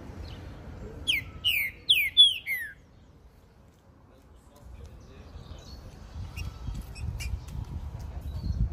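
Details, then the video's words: Caged male green-winged saltator (Saltator similis) carried along a street gives a loud two-second burst of rich slurred whistled song, then stops; traffic rumbles and faint chirps follow. "TRINCA FERRO JOKER CANTANDO"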